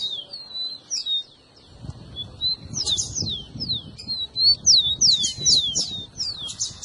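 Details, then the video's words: Song of a rufous-collared sparrow, meant to excite a pet bird to sing: scattered high whistles at first, then a lively series of sharp, descending slurred notes with soft low background noise. "seu tico tico vai ficar doido com esse áudio"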